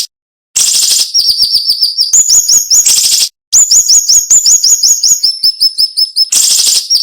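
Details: Cinnamon-bellied flowerpecker song, nembak style, fast and dense with short pauses: rasping bursts break up rapid strings of very high thin ticks and downslurred whistles repeated nearly three per second.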